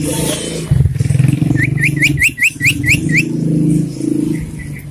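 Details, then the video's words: In the morning, a common iora gives a quick run of about eight sharp, upslurred whistles, then a few softer notes, over a heavy rumble of engines and traffic. "Kicauan burung sirtu"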